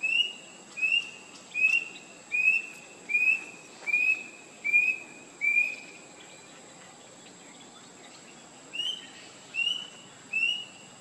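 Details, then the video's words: Rusty-breasted Cuckoo giving clear, slightly rising whistled notes, repeated about every 0.8 seconds: eight in a row, a pause, then three more. A steady high insect whine runs throughout. "Rusty-breasted Cuckoo"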